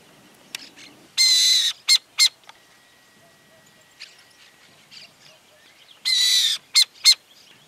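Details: Burrowing Owl in farmland early in the morning, alert with its chicks a few metres away, gives two harsh hissing half-second screeches about five seconds apart, each followed by two quick sharp chattering notes.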